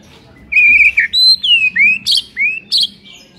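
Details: White-rumped shama singing to stir a sluggish bird into song: a string of loud, pure whistles, some rising and some falling, with two harsh buzzy notes between them and a soft background hum.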